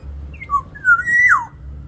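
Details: Aviary black-naped oriole giving its lure song for training other birds: rich fluting whistles, a short high note and a lower one, then a strong phrase rising before a sharp downward swoop; low hum beneath.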